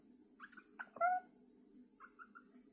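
Little owl giving a few short, soft mewing notes around one clear, drawn-out, slightly rising plaintive hoot, over a low steady hum.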